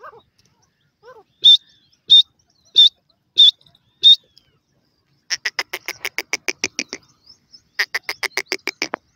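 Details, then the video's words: Grey francolin in forest, five loud high whistled notes spaced under a second apart, then a fast run of short sharp repeated notes in two bursts. "teetar ki best awaaz,partridge babies bird in forest,pheasant voice"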